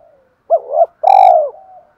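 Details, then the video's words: Fight-urging coo of a spotted dove. A faint low note precedes a two-part hooked coo, then a loud sustained rolling coo with a crisp click, and a soft tail coo after it. "Tiếng chim cu gáy kích bổi/tiếng gáy gọi hai hậu vs thúc đấu/ cu gáy thúc đấu"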